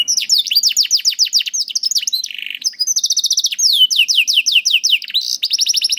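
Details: Singing canary, a training master for young birds and those reluctant to sing: chains of swooping whistled notes, quick rattling trills and a short buzzy roll, continuous high-pitched delivery.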